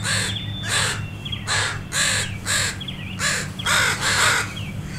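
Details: Angry parent crows and their gathered flock scold a dog walking near two young crows learning to fly; loud, raspy caws repeat in uneven pairs and triplets above a low background hum.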